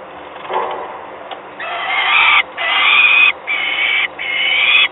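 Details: Young peregrine falcons in Gdynia, Poland, 28 May 2021: harsh, drawn-out rasping screams, each about a second long, in a rough series of four with short gaps, over steady background noise.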